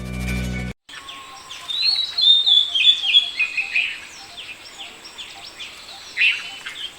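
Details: Indian paradise flycatcher in Sri Lanka calls: quick, high, slurred chirps and harsh notes, several per second, after a brief burst of music.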